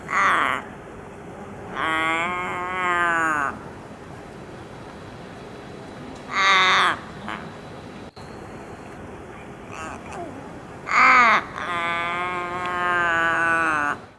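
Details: Australian raven (Corvus coronoides coronoides) in Sydney, 19 November 2024, giving odd, drawn-out nasal wails, some over a second long and slightly wavering, between short harsh bursts, with quiet pauses between.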